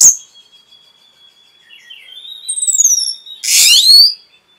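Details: Orange-headed thrush training song (masteran) for caged birds: a long thin level whistle, then falling high slurred notes and a loud dense burst of rapid twittering near the end.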